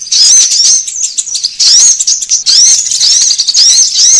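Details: Thin, shrill sunbird chirps and quick upslurred whistles, used to attract birds, arrive in three or four tight bursts with short breaks between them.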